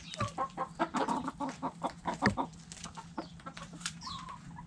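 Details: Backyard coop hens clucking busily: rapid, overlapping short clucks several per second, loudest in the first two and a half seconds, then quieter clucks and a brief high note, over a low hum.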